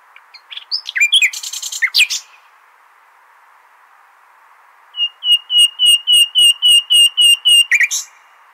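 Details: Nightingale song of the Hasaniya type for tutoring young goldfinches and hybrids: scratchy chattering notes, a short silence, then a crisp series of about twelve rising whistled notes, evenly paced, ending with a harsh flourish.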